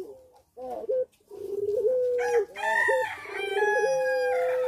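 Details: Caged puter pelung dove in breeding condition, singing actively: repeated long, low, sustained coos with short hiccuping notes between them, overlapped midway by a brighter, harsher call from another bird.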